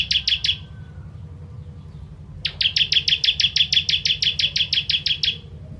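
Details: Kristal-type ciblek (bar-winged prinia) in fiery tembakan song meant as a tutor for songbirds: a short run of buzzy chips, a pause, then a long fast train of about twenty identical high notes, low hum beneath.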